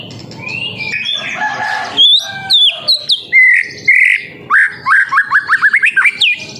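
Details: Young white-rumped shama in spotted juvenile plumage, recorded as a lure to prompt other birds to sing. Its varied song has rich whistles and slurred notes, ending in a fast run of rising chips, over a soft background hiss.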